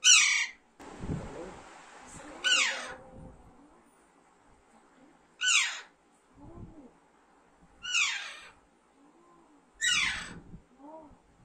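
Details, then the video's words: Harsh, ringing screeches of an Alexandrine parakeet recur roughly every two to three seconds, each falling steeply, with a brief noisy rustle near the start and soft low notes between calls. "Alexander parrot natural sound"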